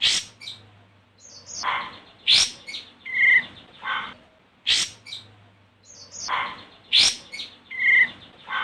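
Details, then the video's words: Olive-winged bulbul (Pycnonotus plumosus) calling a rival, a lure to stir birds into song; a busy phrase of sharp notes, harsh bursts and a clear falling whistle, repeated twice in a looped pattern. "Suara Burung Kapas Tembak Manggil Lawan"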